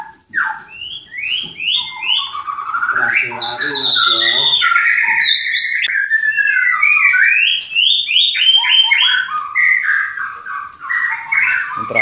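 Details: White-rumped shama bred in Klaten, Indonesia, singing a long, energetic medley of steep whistled slurs, rapid trills and rising notes, densely packed with hardly a break.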